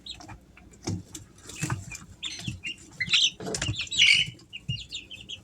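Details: Three-week-old Easter Egger chicks at home give irregular high chirps and short trills over frequent scratching, rustling and bumping noises.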